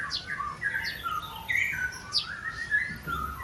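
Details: White-rumped shama (long-tailed breeding bird) in the morning at a bird farm in Bogor: rich, clear whistled phrases sliding up and down in pitch, with quick high chirps between, in a steady varied stream.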